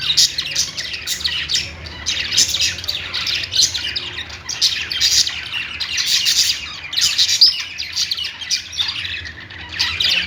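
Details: Pet budgies warbling without pause: a long run of scratchy, high chirps and short squawks in overlapping bursts, rising and falling in loudness every second or two.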